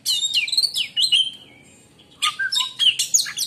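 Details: Oriental magpie-robin song claimed to silence other magpie-robins: a fast cascade of descending whistles ending in a long glide, then a quick jumble of chirps and squeaky notes.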